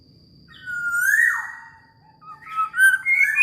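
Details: Black-naped oriole, said to be highly vocal, gives a drawn-out slurred whistle that rises then falls into a rougher tail, followed by a quick run of bright rising fluty notes; low hum underneath.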